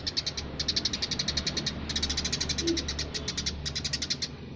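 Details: Eurasian tree sparrow singing vigorously in short rapid chirp bursts, high and clipped, broken by brief gaps, over a continuous low background hum.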